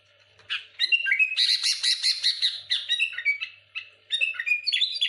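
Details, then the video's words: Sooty-headed bulbul singing loudly to provoke rival bulbuls: a dense run of rich, bubbling warbled notes and harsh chattering phrases, near-continuous over five seconds with a brief pause before a final burst. "Suara burung kutilang gacor muntahin isian tembakan rapat menekan lawan bikin kutilang lain emosi"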